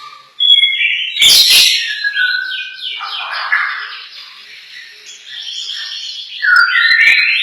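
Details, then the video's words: Competition champion lovebird from Tanjung Pinang, praised as a strong, nonstop singer; loud chattering song of harsh squawks, sliding whistled notes and rapid chirps, with a brief clatter near the start. "Kicau lovebird juara mantap"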